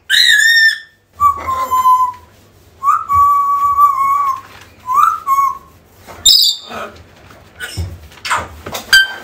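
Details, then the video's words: African grey parrot calling for a lost companion: a high rich whistle, then lower, wavering drawn-out whistles, followed by scattered clicks and short bright notes. "AFRICAN GREY SOUNDS CALLING"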